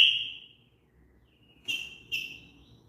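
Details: Green-winged saltator giving softer whistles: a long fading note, a quiet pause, then two short even whistles about half a second apart, with faint low background hum.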